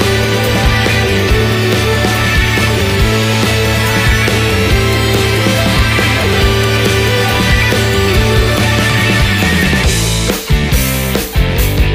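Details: Loud heavy rock-style music with driving drums and distorted guitar plays throughout, with no animal sounds.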